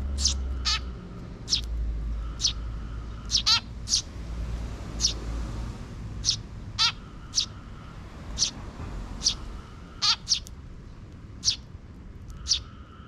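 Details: Steady series of high, clipped chirps from a young sparrow chick following a parent bird in a park, 12 June 2023, some notes doubled, with low rumbling noise in the first seconds.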